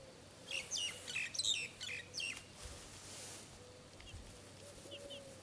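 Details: Buff Orpington chicks, one month old, give a quick burst of high, thin, downward-sliding peeps with a few softer peeps later, over a faint steady low hum.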